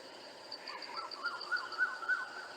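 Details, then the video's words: A barbet repeats hollow, mid-pitched notes about three or four times a second in the background, over a thin, high pulsing series from another caller, easily overlooked during surveys. "Once again, now see if you can hear the barbet from the very beginning."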